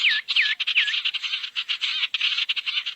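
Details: Barn owl lure call for gathering owls: continuous raspy hissing screeches pulsing rapidly, with three looping whistled notes at the start.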